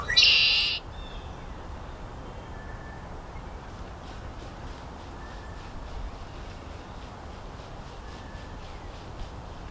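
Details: Red-winged Blackbird in a small cattail marsh at Horn Pond Recreation Area, Eastern Massachusetts, in mid-March 2024, gives one loud, harsh, buzzy burst, then fainter distant calls over steady hiss.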